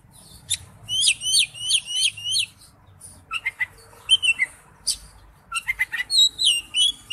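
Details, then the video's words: Oriental magpie-robin in wild-type song, starting with a fast repeated trill of about six identical notes, then scattered sharp chips and high whistled phrases over a steady low hum. "Chim chích chòe than hót giọng rừng"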